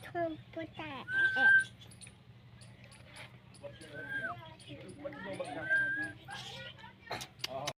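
A parrot chatters in squeaky, speech-like phrases mixed with clear, bright whistles.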